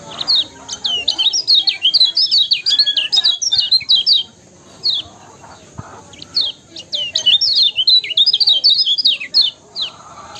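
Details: Lemon-bellied white-eye calling vigorously as a master song to excite other birds: two long bouts of dense, high, fast twittering and sweeping chirps, separated by a quieter stretch of isolated notes.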